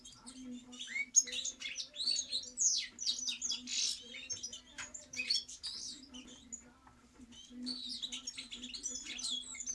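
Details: European goldfinch song, fast twittered phrases with buzzy and tinkling notes, a quieter stretch in the middle, then renewed chattering; constant low hum.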